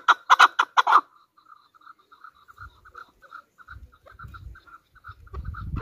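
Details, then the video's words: Chukar partridge, Pakistan's national bird, used as a hunter chukar: a brief burst of loud harsh chucks, followed by a softer, quicker chattering series with low thumping noise underneath. "chakor ki awaz | Hunter chukar voices | Hunter Chukar sound"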